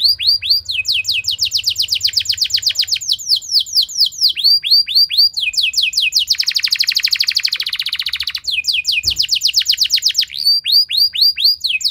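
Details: Long, loud canary song used to spur other canaries to sing, alternating rows of fast falling whistled notes, arched slurs and a dense buzzy trill, repeated over several phrases.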